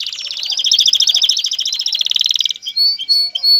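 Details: Male canary song meant to stimulate a female to mate and build a nest, a long rapid rolling trill of bright high notes, then a few separate clear whistled notes.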